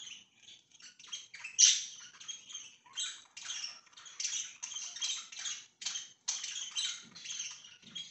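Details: Pet budgies recorded 24 September 2024, chattering quietly in rapid clicks and short scratchy notes. One brighter chirp stands out early, with faint low knocks near the end.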